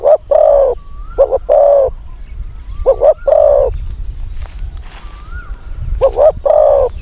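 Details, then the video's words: Decoy-lured spotted dove, wild and fierce with a small high voice: three phrases of paired short coos followed by a long coo, spaced about every three seconds, with soft rising whistles of another bird between them. "ต่อนกเขาใหญ่ ต่อเพนียด เสียงนกเขาใหญ่ นกป่าเสียงเล็กจิ๊ดๆสายดุ"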